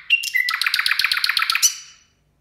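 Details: Nightingale singing at New Year; a short whistle leads into a rapid, even rattling trill of about a dozen pulses over a second, ending abruptly in a quiet room.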